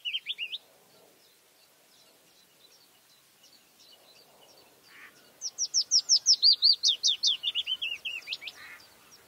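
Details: In May a white-spotted bluethroat gives a few short high notes, pauses with soft faint chirps, then bursts into a loud, fast series of sharp repeated notes that slowly lowers in pitch.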